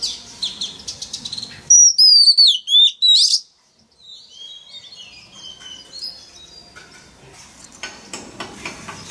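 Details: Male Oriental magpie-robin singing to prompt a young bird to sing along: soft twitter, then a loud series of swooping whistled notes, followed by quieter rambling warbles and faint chirps.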